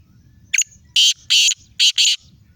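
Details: Black francolin (kala teetar) in Sindh, Pakistan: one short sharp note, then four loud, harsh, grating notes in two close pairs across about two seconds, with a low rumbling background noise in the gaps.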